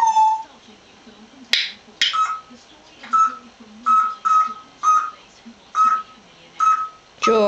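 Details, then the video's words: A pet African grey parrot chatting with its owner in 2009 gives a run of short, level whistled notes, roughly one every half second to second. Brief clicks and snaps are heard, and a scratchy speech-like burst comes at the end. "Talking Parrot African Grey"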